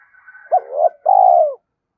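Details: Spotted dove decoy calling: faint higher notes at first, then a swooping rising note and a long steady coo that falls at the end. Clear and loud, with nothing else heard.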